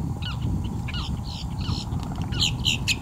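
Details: In morning light, a Boat-tailed Grackle gives harsh, squeaky notes and short sliding whistles, ending in a burst of loud rasping squeals, over a steady low rumble.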